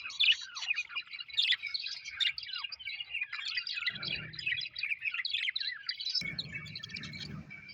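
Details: Happy pet budgerigars chatter in a dense flock of twittering, chirping notes. A low rumbling background noise enters midway and again near the end.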